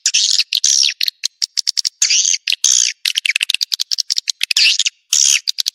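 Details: Edible-nest swiftlet lure sound named Joker, played to attract swiftlets into a swiftlet house: dense bursts of sharp, high chirps and clicks in rapid irregular runs, broken by short buzzy twittering phrases.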